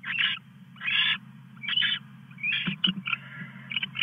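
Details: Owl at night, 2:34 AM, male bringing a mouse to the female; harsh hissing screeches in irregular bursts, some short and clipped, over a steady low hum.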